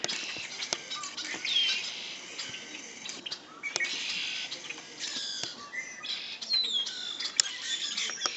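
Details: Several birds chirp together in a busy chorus of quick high tweets, short whistled notes and trills, punctuated by brief sharp clicks.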